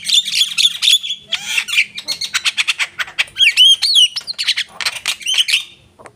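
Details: A Javan myna delivers a rich, varied song of buzzy chatter, sharp clicks, a descending whistle and several quick rising, looping whistles, all packed closely together without pause.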